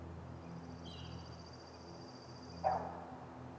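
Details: A high, thin whistled trill from another bird opens, then a single short, mid-pitched bark from a great gray owl at the nest; low hum throughout.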